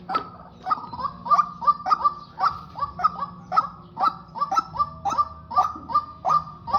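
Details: Male and female white-breasted waterhen kept as a decoy pair for trapping, calling together in a fast, uneven series of harsh honking notes, roughly two or three per second, with a low hum underneath.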